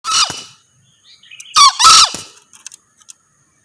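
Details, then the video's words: {'__no_key': 'Male green junglefowl crowing: a sharp, harsh burst at the start, then a shrill two-part crow with rich overtones near the two-second mark, trailing into faint chirps.'} "Suara Ayam Hutan Hijau(Jantan)"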